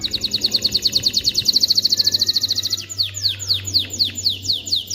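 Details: Male canary song for training chicks and encouraging hens to breed: a quick, even high trill giving way to slower, drawn-out downward whistles, with a faint low background hum.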